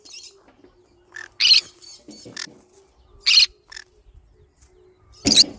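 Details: Harsh green-cheeked conure shrieks, three strong ones, mixed with softer chirps, scratchy chatter and rustling, plus a faint low hum.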